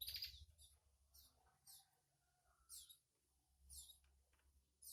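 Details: Mother canary feeds its baby bird twice. Clear, high, thin chirps come in quick bursts, sweeping downward, with soft rustling and low hum between.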